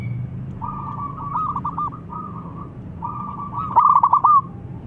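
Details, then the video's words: Local zebra dove singing to lure and anger rival birds: two phrases, each starting with level, purring coos and speeding into a rapid, bubbling trill, the second one louder and more stuttered. "Masteran Pancingan Perkutut Lokal Super Gacor Bikin Lawan Nyaut Dan Langsung Emosi"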